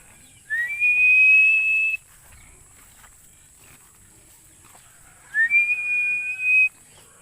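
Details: Philippine eagle repeating its call twice, each a rising slur into a sustained high whistle lasting over a second, separated by several seconds of quiet.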